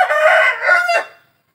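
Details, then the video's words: Rooster crowing: a single loud, harsh, broad crow in two parts, the second shorter and falling, ending abruptly after about one second. "Ayam Jantan Berkokok | Suara Ayam berkokok"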